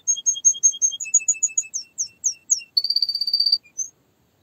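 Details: Canary song of quick repeated high notes, twittering and regular, shifting to rising slurred whistles, then a fast, even buzzy trill and one last chirp.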